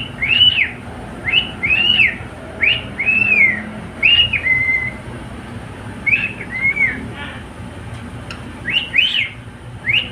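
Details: Male pet cockatiel sings a lively sequence of loud arched whistles, some followed by a level held note, roughly two or three phrases a second in bursts, over quiet background.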